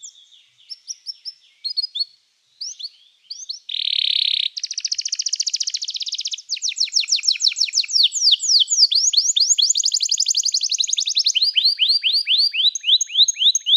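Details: Canary singing a training song: scattered high notes, then a dense buzzy burst, followed by long fast trills of bright rising syllables that roll on for many seconds.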